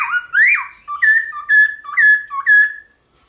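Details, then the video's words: Black-throated laughingthrush in morning fighting song: a looping whistle followed by a quick run of about six clear two-part whistled notes, each dipping then lifting, roughly two per second, ending abruptly. "Khướu bạc má hót đấu kích khướu căng lửa | khướu bạc má hót múa buổi sáng"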